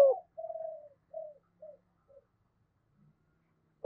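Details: Spotted dove in the 'giọng thổ sấm' voice style, giving a trailing series of soft coos that grow shorter and fainter. A louder coo starts and ends the stretch, with silence between the notes.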